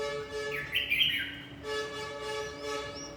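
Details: Red-whiskered bulbul in fight training: one short, bright warbled phrase that rises sharply, then holds a trilled, buzzy note for about half a second. A steady layered electronic hum runs throughout.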